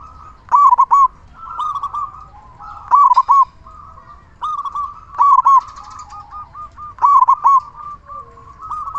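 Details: Local zebra dove in chatty form with a loud voice, used as a lure to set other zebra doves singing: mid-pitched rolling, trilled coo phrases repeated about every two seconds, with softer cooing between and faint background hum.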